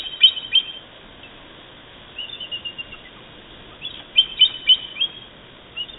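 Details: Bald eagles at a nest on the Channel Islands, California, 19 December 2014, as an intruding eagle tries to land and is chased off, at nightfall; thin, high, squeaky chirps in quick bursts of three to five, a repeated piping chatter.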